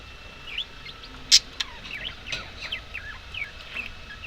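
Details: Budgerigars keep up a lively warbling chatter of small twisting chirps. A single sharp click sounds early on, and the background is otherwise quiet.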